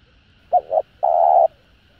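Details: Cooing spotted dove, used to rouse other doves into calling: a soft doubled note followed by one drawn-out, even, mellow coo. The surroundings are otherwise quiet.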